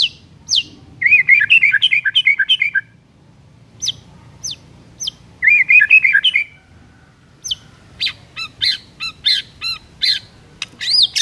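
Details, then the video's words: White-rumped shama singing in the morning, used as a lure to prompt reluctant birds to sing: sharp high chirps, then two bursts of rapid buzzy twittering, followed by a quick string of bright rising notes. "PANCINGAN EFEKTIF di PAGI HARI , 100% bikin murai batu MALAS BUNYI auto BONGKAR MATERI"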